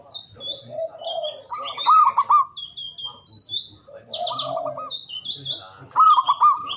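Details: Javanese local zebra dove, strong-voiced and long-breathed, calling to stir quiet doves into song. Repeated phrases of a low rolling coo followed by clipped, beaded higher coos, three rounds, among scattered high whistles of other small birds.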